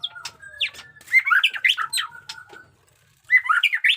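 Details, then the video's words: Fighting song of a caged white-rumped shama, 'jenggot dewa' type, in 'batuk koral' and 'muntah beling' style: harsh squawky and whistled notes jumbled fast, a short pause, then another rapid burst. "pesona AURA MURAI BATU JENGGOT DEWA fighter abis Batuk Koral, Muntah beling murai bisu ngikut nYaut"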